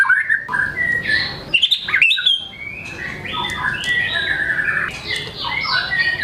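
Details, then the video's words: White-rumped shama in full song, a varied run of whistled and buzzy phrases jumping between pitches, with sharp clicks and rapid mimicked notes tumbling into one another. "MURAI GACOR BONGKAR MATERI, PANCINGAN MURAI MALAS BUNYI AGAR GACOR"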